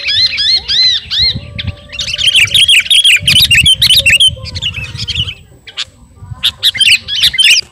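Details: Garuda-type sooty-headed bulbul singing to a rival: a series of arched whistled notes, then a long, dense warbling run of sweeping twitters, and later a few sharp bright notes over low rumbling noise.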